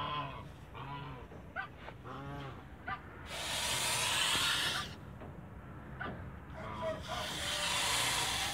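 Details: Male goose guarding its family in a backyard: a few harmonic, nasal honks in the first three seconds, then long bursts of harsh breathy hissing that alternate with quieter stretches.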